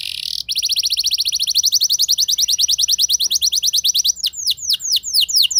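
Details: Canary performing its rolling 'ngeroll' song, a recording meant to provoke other canaries into singing: a fast, even high trill of rapid repeated notes for about four seconds, then a run of sharp, bright downslurred notes.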